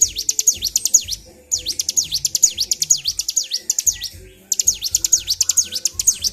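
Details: Highly agitated kept bar-winged prinia, song in three bursts of rapid, very high sweeping notes separated by brief silences of about half a second.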